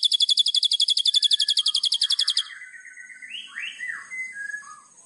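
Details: White-rumped shama song used as training master: fast high buzzy rattle for two seconds, then softer sliding whistled notes rising and falling.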